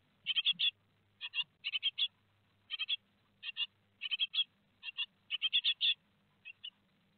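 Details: Great tit chicks two days before fledging, Théding, 15 July 2020: dense raspy chirping in quick clusters of three to five notes, repeated steadily for several seconds over a faint low hum.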